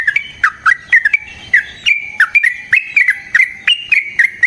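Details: Yellow-vented bulbul giving a long rolling fighting song, used as a lure to make other bulbuls respond; bright chattering notes about every half second, each a quick dip into a short held whistle, in a lively unbroken run.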